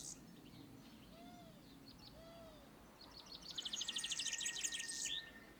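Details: European serin on a treetop song perch, used for territory or courtship, bursts into a loud, high, sizzling twitter of rapid notes lasting almost two seconds, after two soft, lower, arched whistles earlier.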